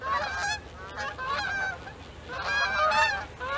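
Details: A flock of Canada geese flying overhead during a snowstorm, watched by a snowy owl: loud nasal honks overlapping in bursts, some rising at the end, with a soft rush of wind beneath.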